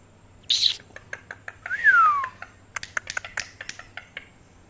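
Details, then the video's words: Pet parrot presented as talking: a brief high squeaky note, then a loud whistled slur sliding downward, followed by a quick series of sharp clicks and taps; no clear words are made out. "Very cute parrot talking"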